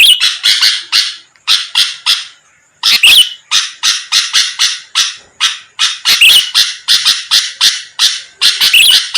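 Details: Sooty-headed bulbul song meant to provoke rivals: rapid series of scratchy, noisy notes in clusters, a short silence after about two seconds, then an unbroken stream of harsh chatter.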